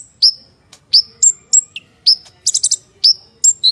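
An Olive-backed Sunbird sings a fast, very high run of sharp, thin notes and dropping whistles, with brief buzzy trills between them.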